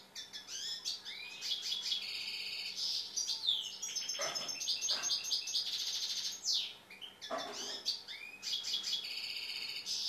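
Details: Tamed European goldfinch singing a nearly unbroken run of bright twittering, liquid trills and buzzy notes for ten seconds, with a few soft low thumps underneath.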